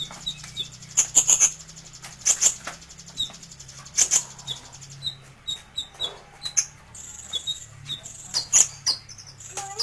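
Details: Sunbird called kolibri ninja, recorded as a singing tutor: repeated bursts of shrill, very high chirps mixed with short thin twitters, coming in uneven groups over nearly ten seconds, with faint low hum.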